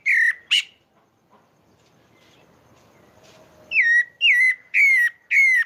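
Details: Pale-breasted thrush (sabiá-barranco) song from Maranhão, Brazil: two short whistles, a quiet gap with faint background rustle, then four clear downslurred whistled notes about half a second apart.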